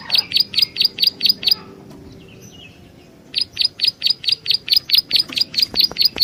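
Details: Prinia call used as a lure: seven quick, piercing chirps, a quiet gap of nearly two seconds with faint background, then a long steady string of about thirteen identical high chirps.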